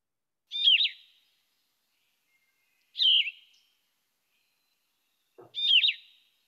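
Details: Yellow-throated Vireo, a woodland species nesting in DuPage County, Illinois, sings short, burry two- or three-note phrases at a slow pace, about one every two and a half seconds, with a raspy tone.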